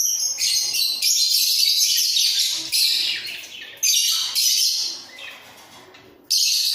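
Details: Budgerigars, a breeding pair in a cage, sing with head-bobbing: long stretches of high, grating chatter broken by brief pauses, restarting abruptly.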